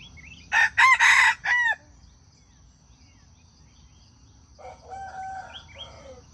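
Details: Junglefowl crowing, a sound used to lure wild chickens into traps: one loud harsh four-part crow, the last note drawn out and falling, followed by softer chirping from small birds and a low background hum.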